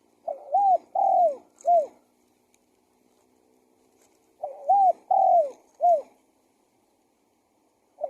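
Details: Spotted dove calling to lure wild doves: two three-part cooing phrases about four seconds apart, each a looping double note, a longer falling coo and a short final coo, plus the start of another.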